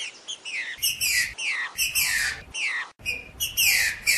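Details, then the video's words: Green-winged saltator singing the rare 'Joaquim já foi do Mineirinho' song style, known from Ipatinga, Minas Gerais, and used to train young birds. Repeated slurred phrases fall in pitch, broken by short bursts of broadband noise, with thin high chirps behind. "TRINCA FERRO JOAQUIM JÁ FOI DO MINEIRINHO"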